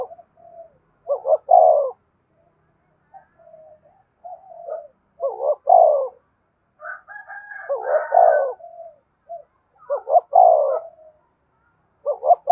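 Spotted dove giving soft, low, hollow coos in short repeated phrases.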